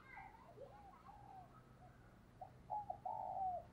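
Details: Decoy spotted dove cooing in the morning to call in wild doves: faint, muffled low coos, ending in a clearer phrase of short notes and a long, slightly falling coo, over a dull rural background.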